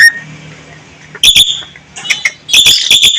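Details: Javan myna (jalak kebo) singing steadily with rich fill material: a short whistled note, then loud harsh broadband bursts and chattering phrases around high pitches with brief pauses between.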